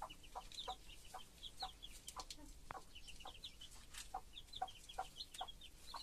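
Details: Hen clucking rhythmically to her brood, short low notes roughly twice a second, interleaved with many shrill cheeping chicks calling continuously.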